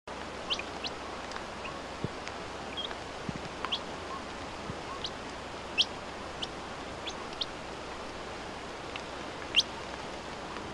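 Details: Rufous-naped Ground-Tyrant (Muscisaxicola rufivertex) in La Rioja, Argentina, giving thin, high, very short tsip notes at irregular intervals a second or more apart, over a steady hiss of wind.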